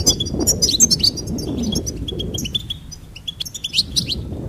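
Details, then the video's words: Goldfinch twittering, with quick high chirps, short whistled notes and buzzy trills in rapid succession, set against a noticeable low murmuring background noise. "Charming Goldfinch Peep"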